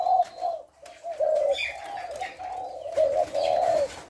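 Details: Spotted dove cooing, recorded 18 September: soft, low hollow coos in a continuous rolling string, a few notes swelling louder, with faint high chirps of other birds in the background.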